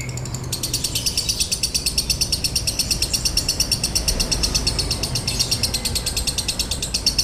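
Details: Konslet-style lovebird singing, dry in tone and used as bait to make other lovebirds sing: after a short pause the bird launches into a continuous, quick, evenly paced string of piercing scratchy chirps.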